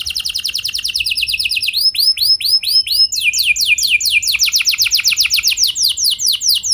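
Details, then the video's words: Canary lure song to get other canaries singing: a rapid high trill, a few rounded swooping notes, then a long run of quick descending sweeps. "Pancingan Ampuh Buat Kenari Kondisi Apapun! Bakal Langsung Nyaut Ikut GACOR Panjang"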